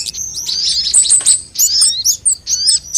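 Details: ['Lure sound of sunbirds of various kinds, intended to make birds sing: thin high whistles with quick upward and downward slurs, in bursts of about half a second separated by short pauses.']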